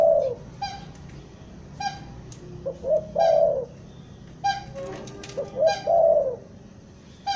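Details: Spotted dove, a trapped lure bird from Bandung with a stuttering 'gagap' style, used to attract wild doves for trapping. It gives mellow mid-pitched coo phrases that end in a long downward-sliding note, repeated every few seconds with faint background hiss.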